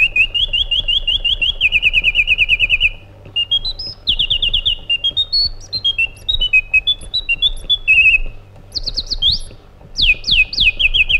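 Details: White-eared bulbul (Pycnonotus leucotis), described as Iraqi, sings a varied run of bright, fast trills, then liquid whistled notes that swoop up and down, over a faint low hum.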